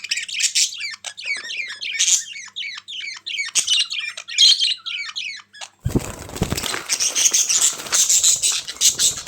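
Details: Budgerigars giving dense, rapid chattering warbles of high squeaky notes, many birds calling together, with a rushing noisy burst like wing flutter in the last third.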